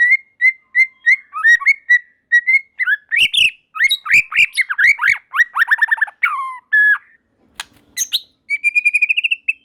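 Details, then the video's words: White-rumped shama (murai batu) song opening with evenly repeated whistled notes, building into fast buzzy trills and sweeps, then a sustained wavering whistle; other shamas join in singing. "Tanpa Nunggu Lama Burung Murai Batu Lain Langsung Ikut Nyambar Gacor || Voice of Murai Batu"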